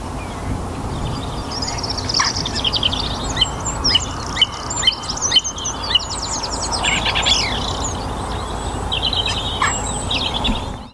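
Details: Song thrush singing in a North Antrim garden during the spring evening chorus, warm and sunny: varied high whistles and quick rattling trills, some phrases repeated, amid other garden birds before the recording cuts off.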